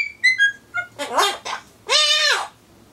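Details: Pet Solomons corella waiting for pumpkin indoors. Four short, descending whistled notes open the clip, then come harsh, breathy speech-like words and one long drawn-out raspy phrase.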